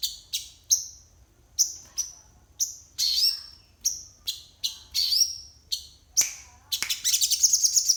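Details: Crested jay singing in the morning with a song filled with learned material (isian): loud, sharp high whistled notes, many sweeping downward, given singly at roughly half-second to one-second intervals, ending in a dense rapid twittering burst.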